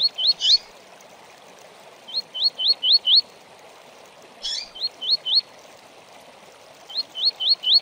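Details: Training recording of double-collared seedeater tui-tui song. Sets of four or five sharp, rising whistled notes come in spaced bursts, each preceded at times by a scratchy, buzzy note, all over faint continuous hiss.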